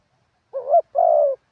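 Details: Spotted dove used as a ground decoy bird, singing in the wild-style 'karam pa' manner with 'khat' and 'nun' notes: one phrase of a short rising two-part coo followed by a long, steady, slightly falling coo.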